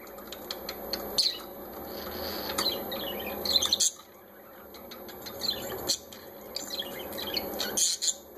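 Several parakeets chatter in quick, high, scratchy chirps and warbles, with brief bursts of louder squeaks over a low, steady background hum.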